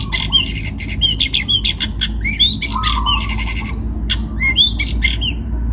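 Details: Young forest-caught Long-tailed shrike from Pati, Central Java, Indonesia, singing busily: harsh buzzy bursts alternate with short rising whistled notes and a lower slurred phrase, over a steady low background hum.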